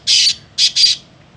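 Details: Black francolin, kept at home, utters three short harsh, hissing-grating notes, the first longer, the last two close together, in an otherwise quiet setting.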